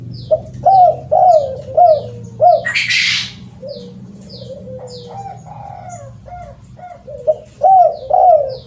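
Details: Spotted dove call used as a lure: a run of short hooked coos, each rising then falling, repeated nearly twice a second, with a few long flat drawn-out coos midway, a brief burst of noise, and high thin descending chirps recurring throughout.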